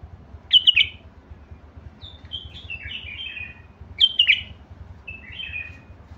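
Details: Basra bulbul repeating a sharp bubbling phrase followed by a string of descending whistles, the pattern heard twice.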